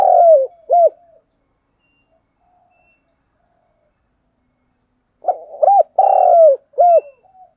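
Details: A spotted dove (Vietnamese "cu đất") gives low, hooting coos in two short bursts of three or four notes, separated by a few seconds of silence.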